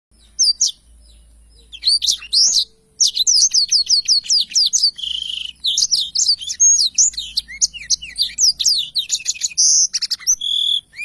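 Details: Blackthroat singing vigorously in a long rolling song used as a tutor recording for songbirds: rapid, varied high whistles, trills and buzzy notes pouring out almost without pause, with one brief break near the start.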